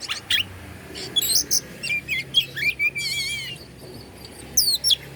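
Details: Oriental magpie-robin in Bandung, Indonesia, sings to provoke other magpie-robins: bright whistled notes, upslurred chirps, a wavy trilled phrase around three seconds, and a final pair of high twisting whistles.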